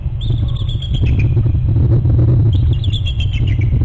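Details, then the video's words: Two bald eagle parents giving alerting calls at a Hornby Island nest, January 19; a string of sharp, high chirping notes falling in pitch, a pause, then another descending series, all over steady loud low-pitched rumbling. "Mom and Dad both alerting"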